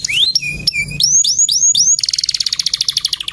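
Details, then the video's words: Male canary song: rising whistled slides and low flat whistles, a series of upward-curving notes, then a rapid high rattling trill of closely packed notes; clean and close. "BURUNG KENARI JANTAN GACOR. MASTERAN PALING DI CARI"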